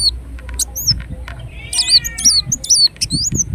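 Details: Ruby-cheeked sunbird singing: high, squeaky, hooked notes strung into a fast chattering phrase, with a brief lower wavering trill in the middle and low rumbling noise underneath.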